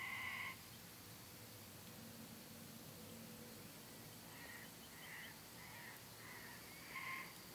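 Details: A pair of sulphur-crested cockatoos at sunset on a farm near Darwin, Australia, giving a series of harsh, banded calls, louder at the start and near the end, with softer repeated calls between them over a steady background hiss.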